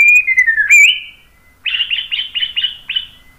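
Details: White-rumped shama: a smooth falling whistle that snaps upward, then after a pause six short buzzy chattering notes repeated evenly, each about a quarter second apart.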